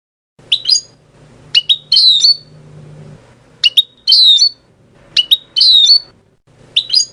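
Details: European goldfinch song in repeated phrases: each a cluster of sharp high chips and a slurred, descending twitter, returning about every second and a half with short pauses between.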